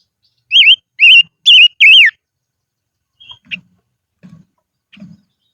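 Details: A silver-eared mesia kept as a decoy sings in the highlands: four bright, wavering whistled notes in quick succession, the last one sliding downward. After them come a few soft chips and low taps.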